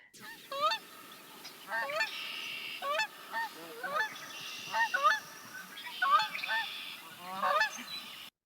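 Canada Goose giving loud, two-part nasal honks, each rising then dropping, about one per second in uneven bursts; Red-winged Blackbird trills and chatter in the background.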